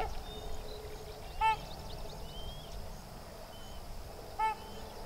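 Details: Young sandhill crane, a colt, beside its parents at Sherburne Wildlife Drive, gives two sharp, loud, ringing call notes about three seconds apart. Faint chirps and whistles from other birds run through a steady hum.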